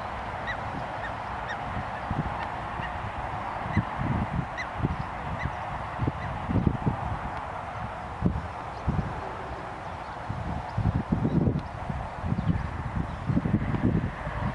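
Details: Canada geese on a shore give scattered low, nasal honks at an uneven pace, half-buried under steady wind and rumbling background noise.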